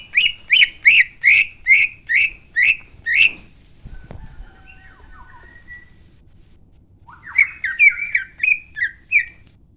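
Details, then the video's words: Greater green leafbird, a kept bird, in a lively lure song: seven strong buzzy whistled strokes in regular sequence, a quieter stretch with faint thin notes and a thump, then a fast chattering burst of rising and falling whistles. "pancingan cucak ijo hyper extream"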